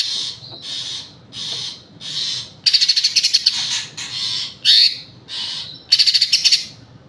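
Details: Green leafbird song made of a steady run of short harsh buzzy notes, then longer ringing phrases of fast rattling pulses and a sudden sweeping note, all high and clear.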